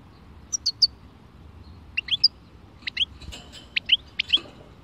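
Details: European goldfinch singing in the khalwi style: short bright twittering notes in clusters, liquid rising chirps given in pairs and triplets with brief pauses, against a quiet background.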